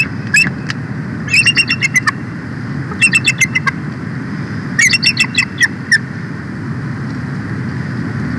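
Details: Bald eagle (Haliaeetus leucocephalus), female Jackie at the Big Bear Valley nest, 4 March 2024, gives four bursts of thin, high chittering piping chirps over low wind rumble, calling her mate Shadow to take over a nest shift.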